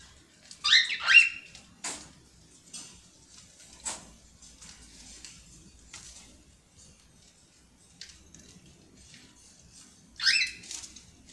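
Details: A young (chick) cockatiel gives a few raspy, wavering chirps, with soft clicks and taps in between.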